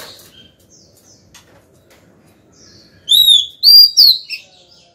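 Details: White-rumped shama, a female singing to call the male: after near silence, a burst of loud clear whistles slurring up and down, then a trailing short note.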